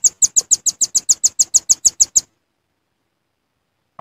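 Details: Velvet-fronted nuthatch lure call for trapping birds: a fast series of thin, high, sharp chips repeated about three times a second for two seconds, then silence.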